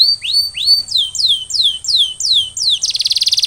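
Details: Singing canary recovering after molting: a series of sharp descending whistled swoops, roughly three a second, then a sudden fast buzzy trill at the end.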